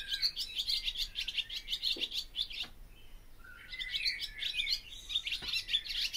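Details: Barn swallow singing a lively twittering series of high scratchy chirps, broken by a short quieter gap, then resuming with rising slurred notes and more rapid chatter.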